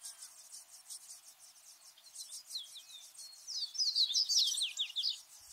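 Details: Feeding of Ultramarine grosbeak chicks, starting with soft, rapid buzzy ticks, then swelling into an excited squeaky chatter of jumbled high notes toward the end.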